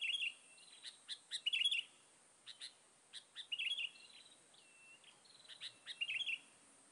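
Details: Sooty-headed bulbul calls used as a lure to draw other birds in: bright chirpy phrases and short whistled notes, coming in bursts of about half a second, repeated several times with quiet gaps between.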